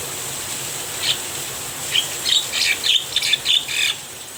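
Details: Javan myna singing during rainfall, seemingly happy in the rain: one harsh note, then a rapid run of scratchy, squawking notes about three per second, set against a steady rain hiss.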